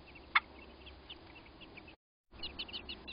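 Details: American robins at a nest under attack by a crow: one loud sharp note, then scattered high chirps, a short break, and a fast cluster of excited high-pitched notes.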